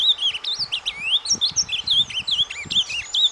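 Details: Ultramarine grosbeak in soft surdina song used for warming up breeding birds: fast, high warbled whistles with rising and falling slurs in a continuous jumble, accompanied by faint low knocking and rustling sounds.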